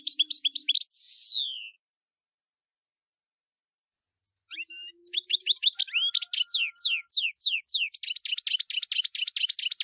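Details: European goldfinch delivering camper-style song. Dense, liquid twittering is broken by a drawn-out falling note and a short silence. The bird then bursts into a long, rapid run of rising and falling chirps, about two per second.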